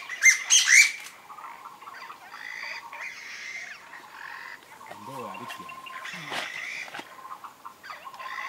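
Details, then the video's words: A Chinese bamboo partridge gives a loud, shrill burst of rapid squawking notes at the start; softer nasal, duck-like calls and low grunts, apparently from wild ducks, follow. "Chinese bamboo partriges vs wild ducks竹雞叫"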